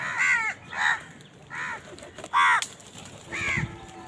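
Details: Crows squabbling over food give five raspy, harmonic caws about every three-quarters of a second, each slurring slightly downward.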